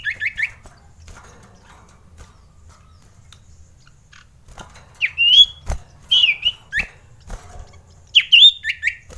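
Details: Male common iora (sirtu, cipow), a lure meant to rouse reluctant birds and mating desire: three spaced short phrases of upslurred whistled notes with quick trailing chirps, separated by quiet gaps with faint clicks.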